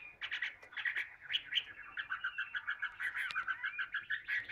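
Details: Tame captive Chinese hwamei, kept for its abundant singing, delivers a fast series of rhythmic repeated chirping notes over a noisy background hiss.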